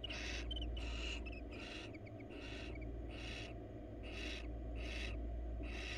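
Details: Wild female barn owl in a monitored nest box, seeking attention while crawling: harsh, hissing screeches repeated about every 0.7 seconds, seven in a row, over a steady low electrical hum.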